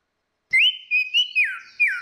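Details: Orange-headed thrush, female and male singing loud clear ngeplong song used as a lure: short whistled phrases, a rising note then level and downslurred slides, several quick phrases in two seconds, no other sounds.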